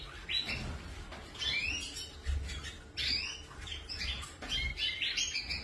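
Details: Canaries produce bursts of high, chirpy, upward-sweeping notes with a squeaky edge, spaced roughly one second apart over a quiet room hum.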